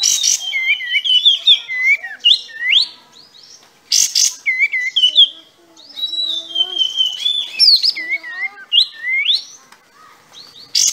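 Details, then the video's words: Sooty-headed bulbul singing hard with tail spread, a clean take meant for training captive birds: varied sweet whistled phrases with rising and falling slurs, short bursts separated by brief pauses, several sharp high clicks. "Masteran Kapas Tembak"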